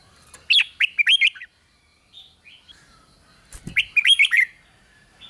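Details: Red-whiskered bulbul giving 'rik' style song to stir other bulbuls: two lively phrases of rapid bubbling whistled notes with sharp overtones, separated by quieter soft chirps, plus a brief low thump.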